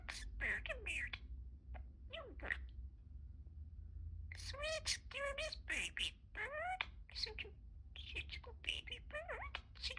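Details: Pet budgerigar talking, with phrases such as "Good morning", "You got this" and "You rock". Rapid chattering bursts mix speech-like syllables with sharp rising and falling warbled whistles, broken by short pauses, over a low background rumble.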